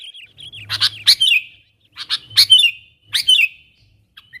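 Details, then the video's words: Calling wild companions closer, a sooty-headed bulbul gives three spaced phrases, each a loud scratchy rasp ending in a bright descending whistled chirp. "Suara Burung Kutilang Gacor Memanggil Teman LIAR, ampuh untuk pikat Kutilang liar jadi mendekat"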